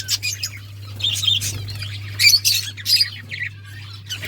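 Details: Budgerigars chirping in short scratchy bursts, squeaky warbles and sharp chirps separated by brief pauses, with a constant low hum behind.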